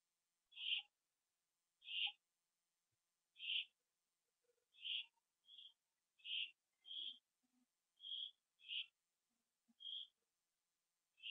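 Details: Owls back at their nest in the evening, 27 September 2011, 7:08 PM, on a live camera; a steady series of about a dozen short rasping high calls, spaced roughly one to one and a half seconds apart.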